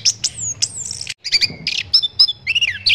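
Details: Orange-headed thrush song for training songbirds: clear whistles sliding downward, then a break, then squeaky doubled notes and warbled phrases that dip and rise, closing with a sharp high note.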